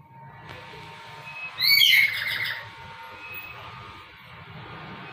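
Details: A male black-capped lory attracting a female gives one loud, harsh, screeching squawk lasting under a second. It is followed by a softer trailing rasp, over a faint low hum.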